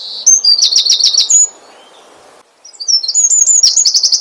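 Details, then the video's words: Asian brown flycatcher singing to draw other birds into song: high, sharp repeated notes in a fast chattering run, then about a second of near silence, then another burst of thin whistles and rapid trilled notes. "SUARA BURUNG SIKATAN LONDO ,MEMANCING SEMUA BURUNG GACOR"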